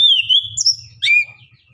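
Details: Orange-headed thrush singing in the lively 'nembak, ngeriwik' style, used as a lure to get reluctant birds to answer. A loud, clear whistled phrase slides down and levels off, followed after a brief pause by a sharper, rising second phrase.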